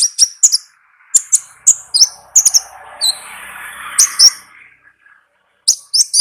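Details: Olive-backed sunbird (konin) recorded in the wild, singing in the lively gacor ngalas style: sharp, very high chirps and short downslurred notes in quick bursts, with a soft hiss of background noise midway.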